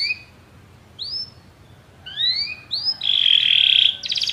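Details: Canaries singing after hearing music: separate rising whistled notes spaced out, then a sustained buzzy trill and quick pulsed notes at the end.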